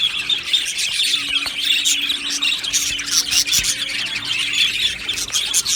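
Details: Many pet budgerigars in an aviary colony keep up a constant bright chatter of high chirps and squeals, with a faint steady low hum beneath.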